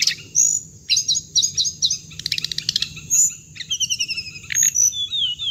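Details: Hồng hạnh bird recording used as trapping playback: repeated high sweeping whistles in quick groups, a burst of rapid ticking trills, then falling slurred notes and short chirps, with a steady high hiss behind.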